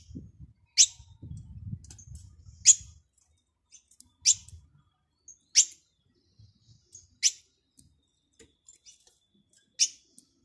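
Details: European goldfinch giving a series of seven sharp, high chips at irregular one-to-two-second intervals; low rumbling noise fills the first three seconds.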